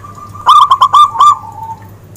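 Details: Zebra dove, recorded for use in luring birds. It gives a clear phrase of five quick, bubbling, rolling coos on one pitch, then a soft fading tail, over a steady low hum.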